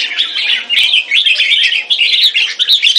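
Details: Captive red-whiskered bulbul kept as a competition bird in Singapore, displaying: a loud, continuous stream of bright chirpy warbled notes with quick pitch jumps, dense and almost unbroken for three seconds.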